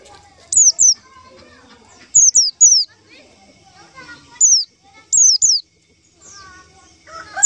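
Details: White-eye call used as a trapping lure: repeated pairs and triplets of piercing, falling high notes separated by pauses, over soft background bird twitters.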